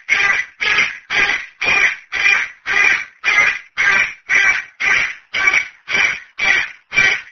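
A cockatoo gives harsh, raspy screeches, about fourteen in a row, evenly spaced at roughly two per second, with nothing else heard.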